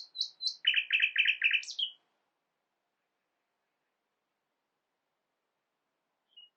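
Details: Common nightingale singing, its song said to copy many different birds: a few high clipped notes, then a fast stuttering chatter and a sweeping upward flick. After that comes a long silence and one faint final note.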